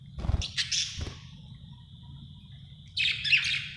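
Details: Budgie chirping happily, a burst of rapid harsh chirps, a long thin held tone, then another dense scratchy chatter at the end; low thuds at the start.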